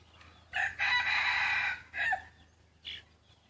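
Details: Decoy cockerel, yellow-feathered and crossed with wild junglefowl, crows once in a long raspy phrase, adds a short clipped note, then a faint brief call.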